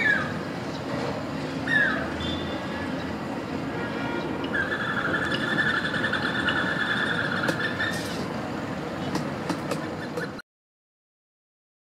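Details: A passing train rumbles and clatters throughout, with a steady high wheel squeal in the middle and no animal calls.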